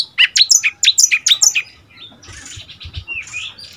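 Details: Young Oriental magpie-robin, seven months old, kept as a decoy bird and moulting into its first young-male plumage, answering wild birds: a rapid burst of sharp, bright chirped notes, then softer, fainter warbling twitters.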